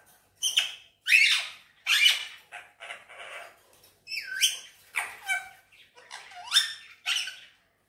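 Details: Green Indian ringneck parakeet talking in Urdu/Hindi: a steady stream of harsh, chattering word-like syllables, some with rising whistled inflections, run almost without pause for about eight seconds.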